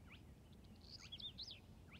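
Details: Spotted crake singing in a reedbed at Hörningsholm, Sweden, on 5 June 2019: sharp, whiplash upslurred whistles about two seconds apart, with another small bird chattering high between them over a low background rumble.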